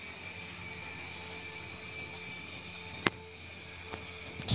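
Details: Steady rushing hiss near the Thommankuthu waterfalls in Kerala, with a faint hum, a sharp click at three seconds, a softer tap just before four, and a louder burst at the very end.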